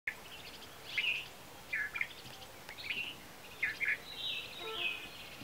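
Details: Oriental magpie-robin singing at Kolambe, Sangmeshwar, Maharashtra, India, on 18 May 2017: short whistled and warbled phrases spaced irregularly over a steady background hiss, with a higher drawn-out sweet note near the end.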